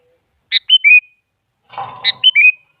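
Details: Sooty-headed bulbul lure song, a female calling a male: two ringing whistled phrases of three descending notes, the second overlapping a low rough rustle.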